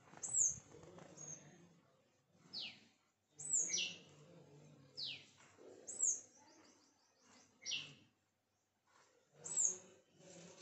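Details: Sunbirds around a home, repeating piercing high downslurred chips mixed with lower sweeping whistled notes that fall in pitch, separated by short pauses.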